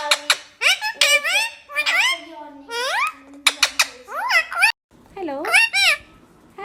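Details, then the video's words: A talking parrot indoors giving a run of clear, voice-like whistled phrases and sliding, rising syllables, one after another, with short pauses and a sustained low hum between some phrases. "Parrot sound ❤️बोलने वाला तोता"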